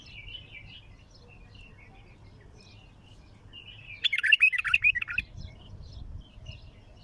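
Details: Bulbul singing, described as a raw bird with a heavy throat: faint scattered chirps, then one loud, bubbly warbled phrase lasting about a second, then soft chirps again over a low background rumble.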